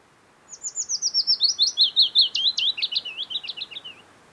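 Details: Willow Warbler singing in lush early summer near Geilo, Hallingskarvet mountains, Buskerud, Norway, late June; a soft descending cascade of sweet whistled notes, starting high and sliding lower, about 3.5 seconds long.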